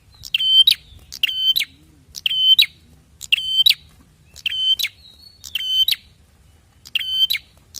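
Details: Prinia calls intended to make prinias call back: eight harsh, nasal ringing notes with clicks, repeated at a brisk, slightly irregular beat near one per second.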